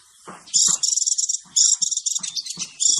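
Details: Male sunbird song used as a trapping lure: high, buzzy bursts in dense bands, several strung together over three seconds, with soft low knocks and rustles beneath.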